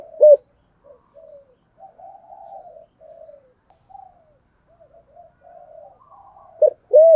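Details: Spotted dove calling in the local "thổ" voice style: a loud low coo at the start and end, with softer drawn-out, gently arching hoots between them, in a quiet setting.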